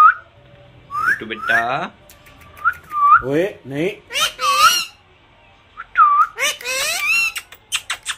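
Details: Pet parrot (tota, mithu) talking indoors, repeatedly saying mummy: short harmonic speech-like syllables, with a rising whistled note around some words, separated by brief pauses.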